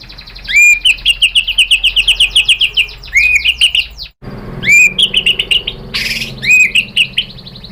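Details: White-rumped shama female calling a male, a lure recording: loud upslurred whistles opening into fast rattling trills of repeated notes, broken by a brief silence and a sudden scratchy burst.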